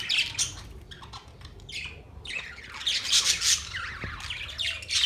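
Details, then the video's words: Scratchy budgie chatter: scattered short chirps, a brief lull, then a dense burst of raspy squawks and warbled notes, irregular rhythm; faint low room hum. "Budgies chirping sounds"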